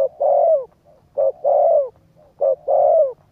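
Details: Spotted dove cooing, used to stimulate a decoy bird: low, hollow coos in phrases of a short note followed by a longer falling coo, three phrases about a second apart, with a faint low hum beneath.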